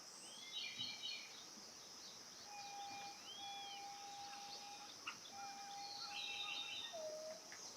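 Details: Ryukyu robin (Larvivora komadori) singing among leaves on Amami Ōshima: brief bursts of quick, jumbled twittering alternate with long, steady, low whistles and a falling slurred note, over a constant high insect hum.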